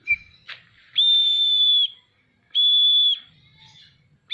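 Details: Oriental magpie-robin with its tail spread, singing: two sustained, flat, clear whistles of nearly a second each, framed by brief short notes, with faint low hum.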